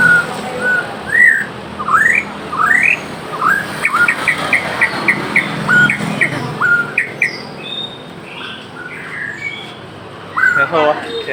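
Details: White-rumped shama (murai Aceh) in varied song: rising whistled slurs, short bright notes and quick chirps in irregular sequence, softer and more spaced, over a steady hissing background.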